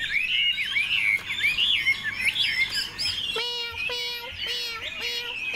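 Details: A tame, caged Chinese hwamei (Garrulax canorus) sings loud, rich, rapidly varied warbled phrases while flicking its tail, then shifts into repeated clear whistled notes with ringing overtones; a man talks faintly underneath.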